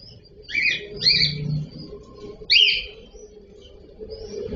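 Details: Cockatiel (cocktail parrot) uttering a quick series of bright, scratchy rising chirps, a pair of calls followed by a single louder one after a pause, with a low steady hum behind.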